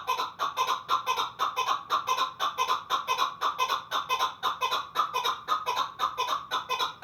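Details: Pamir chukar partridge delivering a long, steady string of raspy, clucking chuck notes, roughly two each second, strong and evenly rhythmic.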